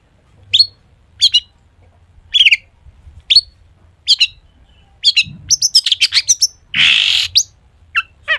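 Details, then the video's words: Long-tailed shrike song packed with mimicked phrases, used to coax other shrikes into singing: spaced sharp high chirps about once a second, then a quick run of notes, a harsh rasping burst and a few final chirps. "cendet gacor FULL ISIAN buat pancingan cendet agar bunyi"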